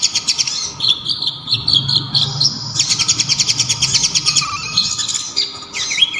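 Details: Local brown-throated sunbird (kolibri ninja) singing loudly and sharply: strings of quick high chips and warbles, a long rapid rattling trill in the middle, then twisting high slurred notes at the end.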